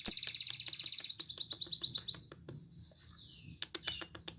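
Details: Lovebird singing energetically, used to prompt other lovebirds to sing: a fast run of repeated high chattering notes, then a thin whistled note and scattered sharp clicks, with a low hum underneath.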